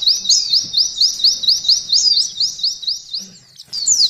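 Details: A white-eye (pleci) performs the canary 'ngalun' shooting song used as training material. High, thin rising whistles come in an even series, pausing briefly near the end before resuming.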